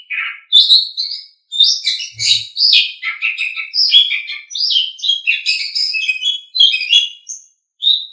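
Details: Asian pied starling song meant for training songbirds: a long, varied sequence of rapid chirps, whistles and harsh buzzy notes, changing pitch constantly, with one brief low thump near the start.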